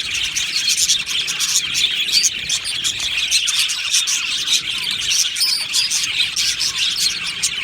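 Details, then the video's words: Aviary flock of Australian budgies chirping and singing together, a constant bright twittering mass of short high notes with no pauses. "Beautiful Happy Budgie singing and chirping sounds"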